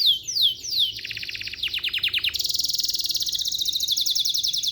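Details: Canary song: falling high chirps lead into a series of slurred downward notes, then a sustained, very rapid buzzy trill to the end.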